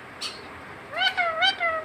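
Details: A pet talking rose-ringed parakeet imitates a cat, giving a drawn-out, wavering meow lasting about a second, with a brief higher squeak just before.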